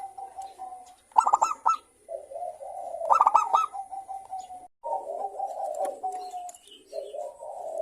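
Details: Zebra doves of a local strain, many calling in answer to each other as a lure for other doves. Two short bursts of quick, clipped coo notes rise above continuous, lower, murmuring cooing.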